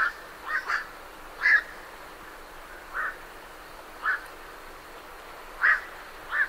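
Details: Night herons leave their roost with loud barking croaks, a doubled call at the start and then single notes every second or so.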